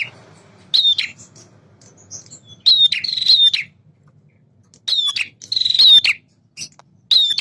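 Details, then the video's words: Singing male prinia: loud, sharp downward-slurred whistles merge into buzzy chattering trills. The bursts come roughly every two seconds and are separated by brief pauses. "PRENJAK JANTAN GACOR"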